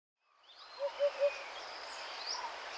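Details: Sri Lankan junglefowl at Wilpattu, Sri Lanka, giving three quick, clipped mid-pitched notes in a rapid run over steady hiss.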